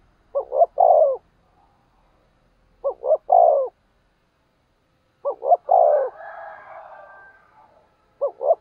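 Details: Caged decoy spotted dove cooing to provoke wild doves: four three-part phrases, two short clipped notes then a long drawn-out coo, repeated every two to three seconds, with a soft chattering bird call between phrases.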